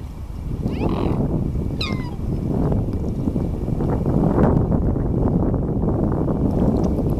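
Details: Black swan calling at Märkter Stau on the Rhine at the Swiss–German border: two brief, harmonic, downward-sliding bugling notes near the start, partly masked by loud, steady rumbling wind and water noise throughout.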